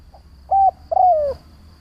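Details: Single phrase from a decoy spotted dove calling to provoke other doves: a tiny soft note, a steady level coo, then a longer coo that wavers and slides downward.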